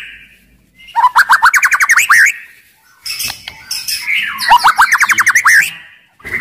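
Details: Aggressive, loud white-rumped shama in full song, used to stir other shamas into singing and fighting: rapid runs of rising, repeated whistled notes, about fourteen per burst, in two long phrases with a brief harsh chatter between them.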